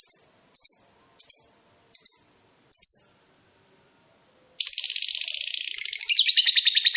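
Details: Rival-provoking lovebird in breeding mood: five evenly spaced sharp high chips roughly every 0.6 seconds, a silence, then a fast continuous buzzy chatter.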